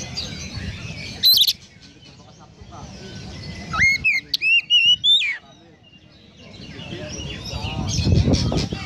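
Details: Oriental magpie-robin konslet song with sparrow imitation: a brief harsh chip, then a phrase of sharp whistled notes with rising flicks, set against noticeable low rumbling noise that swells toward the end.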